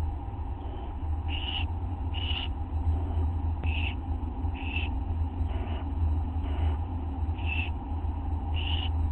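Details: At 1:29 AM on August 9, 2011, an adult owl delivers a tiny mouse to its young at the nest. Eight brief raspy hisses repeat roughly once a second, some fainter, above a constant low droning hum.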